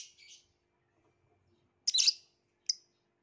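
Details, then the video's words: Violet lovebird giving a few harsh, rasping high chirps: one soft note, a pause, then a loud scratchy burst followed by a short sharp chip. "Burung lovebirth violet"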